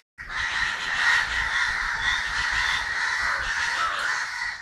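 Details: Many crows calling in Kerala on December 9, 2012: a rough, raucous stream of caws starts after a brief silence and keeps going steadily, swelling slightly near the one-second mark.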